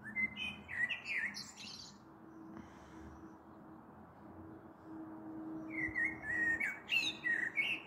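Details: Common blackbird singing in the evening on 21 April 2022, a storm possibly coming, recorded from a balcony: two separate phrases of rich fluted notes, each closing in a high squeaky twitter, with a quiet pause between.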